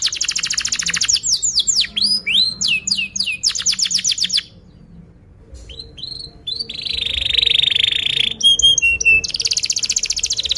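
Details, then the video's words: Atlantic canary song used as a lure for juvenile canaries: fast trills and descending swoops, a brief pause, then scattered chirps and a long buzzy high rattle, ending in a dense trill. "kenari gacor panjang Cuit Cuit EMOSI, Pancingan Kenari Paud Belajar Bunyi"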